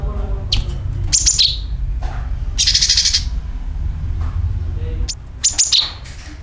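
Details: Sooty-headed bulbul calling, used as a lure to attract birds: short shrill chirps and bright downslurred note groups, with a dense buzzy churring burst near the middle, over a steady low rumble.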